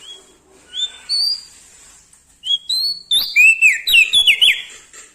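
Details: Lombok bar-winged prinia singing energetically with a clear, loud voice: a few separate high whistled notes, then a rapid tumbling sequence of sharp rising and falling slurred whistles in quick succession.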